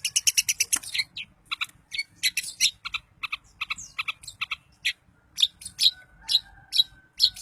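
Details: Long-tailed shrike song meant to set other shrikes singing and agitated: rapid runs of high, bright chattering notes, then looser, scattered chips and short buzzy phrases at an uneven rhythm, some more than two per second.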